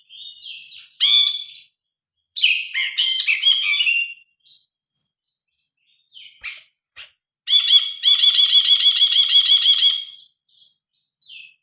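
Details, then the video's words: Loud, varied song of a grey-cheeked bulbul in full voice, phone-recorded: a sharp burst, grating chattery phrases, soft isolated notes, then a steady rapid trill of evenly repeated harsh notes lasting over two seconds. "Burung brinji kelabu gacor. Masteran burung.Suara burung brinji kelabu"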